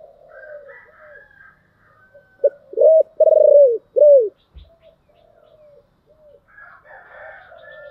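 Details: Spotted dove of the 'giọng thổ' song style: a brief clipped note, then three strong, arching coos, the middle one longest, with softer warbling of other birds before and after and a single thump.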